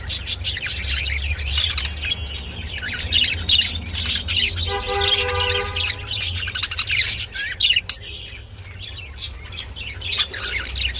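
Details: Mating budgerigars produce continuous scratchy warbling and squawks. A brief tonal, harmonic call rings out midway, over a steady low hum.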